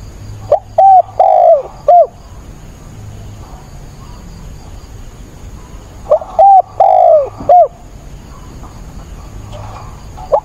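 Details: Spotted dove kept as a decoy, cooing in stormy rain on 28 October: two phrases roughly six seconds apart, each built from short mellow hoots around one long falling coo, with quiet low hiss between.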